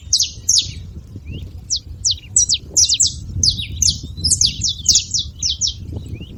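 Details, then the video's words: Several saffron finches singing together, a rapid overlapping jumble of short, sharp high chirps and slurred notes in quick bursts, with faint low background rumble. "canários da terra fazendo barulho"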